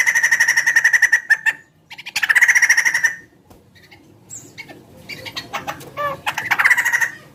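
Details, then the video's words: Large bird with a chicken-like voice delivering repeated bursts of rapid pulsed trilling, broken by gaps filled with short clicks and downslurred notes, the trill resuming strongly at the close. "Suara burung gacor"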